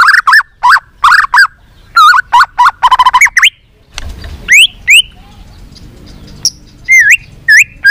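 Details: Varied white-rumped shama song, played to spur other shamas into singing: clusters of rich whistled and looping notes, a short quiet gap with faint chatter, then further rising whistles.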